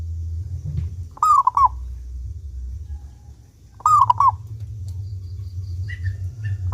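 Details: Clear-voiced local zebra dove singing to draw other doves into song. Two rolling cooing phrases, each a sliding note broken into short stuttering beats, arrive roughly every three seconds over a steady low hum.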